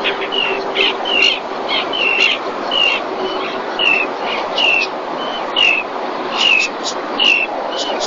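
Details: Webcam in Cantabria, Spain: breeding-season common terns in 2021 as one brings a fish to the mother; a long run of shrill, falling calls repeated about once a second, mixed with faint overlapping notes and steady hiss.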